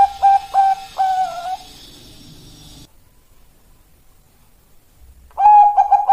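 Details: Female zebra dove of the Bangkok type calling to a male, used as a lure recording: three bright stuttered coos with a rising tail, a hissy background that cuts to silence, then a dense closing run of coos.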